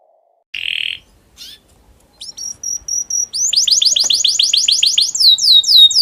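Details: Domestic canary in breeding condition, its song used to stimulate other canaries to sing: after a short buzzy note and a pause, high whistled notes build into a fast, loud, repeated rolling trill of down-slurred syllables.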